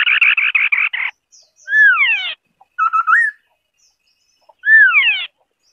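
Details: White-browed scimitar babbler singing: a fast run of about eight harsh, buzzy pulses, then two loud downward-slurred whistled phrases with a short hooked note between them, all clear against silence.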